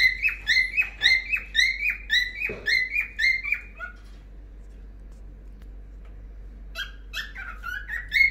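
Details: A cockatiel, singing while playing, gives a quick run of bright, warbling whistles, pauses, then resumes.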